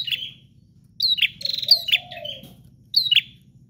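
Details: Energetic bar-winged prinia song, loud piercing chirps grouped in rapid bursts, with a brief lower gliding warble and a low hum behind.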